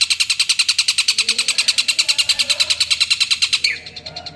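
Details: Long-tailed shrike calling out a rival, a sound used as a lure: a fast harsh rasping chatter of about three notes per second, steady and scratchy, breaking off near the end into faint background hum.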